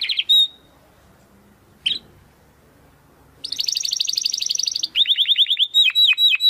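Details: Song of a domestic canary (kenari), used to train competition birds: two sharp chip notes with pauses, then a loud run of rapid trills, ending in sweeping downward-slurred notes repeated quickly.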